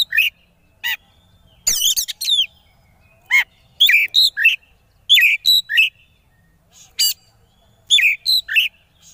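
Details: Konslet-style song of an oriental magpie-robin (kacer), used to make opponents join in: rapid clusters of harsh buzzes and bent whistles, three to four notes per burst, separated by short silences.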